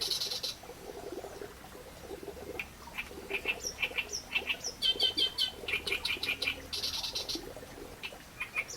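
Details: Singing reed warbler, quiet at first, then building into loud, churring chatter with raspy rattles and high squeaky notes in quick succession. A low continuous rumble sits beneath the song.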